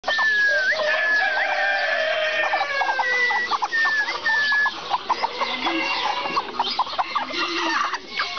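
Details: Serama chickens, several birds calling at once: a dense chorus of short clucks over drawn-out, slightly wavering crows that overlap throughout.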